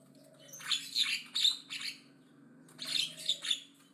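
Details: Javan myna singing aggressively and loud: two bursts of harsh, rasping chatter with squeaky accents, separated by a short pause.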